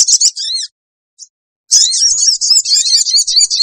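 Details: Sooty-headed bulbul lure sound to draw wild birds: a quick burst of high wavering chirps, a second of silence with one faint note, then a long unbroken stream of shrill chattering.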